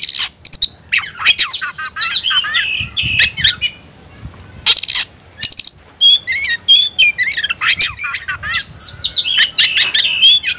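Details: Oriental magpie-robin (kacer) roused to fight: sharp harsh bursts open, then long strings of whistled and twittering phrases, several loud broad rasps midway, ending in dense warbling chatter.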